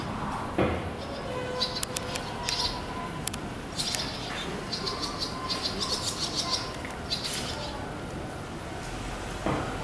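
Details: Barn swallow parents calling as they attack and chase off two stray fledglings that came to their nest, at a site where many swallows raise broods and many young have already fledged; short high chirps in scattered bursts, with wing flutters over a steady background hum.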